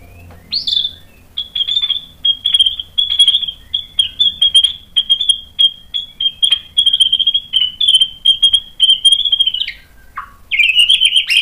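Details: White-rumped shama lure song intended to make rival shamas answer: a long, fast, buzzy pulsed trill held at a high, steady pitch for about nine seconds, ending in a few sharp, varied notes.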